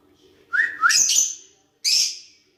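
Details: Two lovebirds interacting: a pair of short rising whistles leading into a loud, rasping screech, then a pause and a second harsh squawk.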